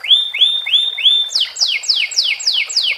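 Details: Canary song in the sikatan londo fill style: four rising, drawn-out whistled notes, followed by a regular series of six sharp downward-slurred whistles, about three per second.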